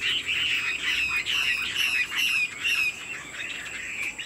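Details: A Chinese Hwamei kept in a cage, said to be 90% pure and to sing while nodding and dancing like a lion dance. It gives a run of loud, downslurred whistles, each about half a second long, repeated in quick succession.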